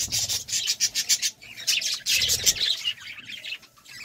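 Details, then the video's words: Courting budgerigars: fast pulsed, rasping chatter of about two to three notes a second, then a noisier scratchy warble that fades out. "Love time for budgies"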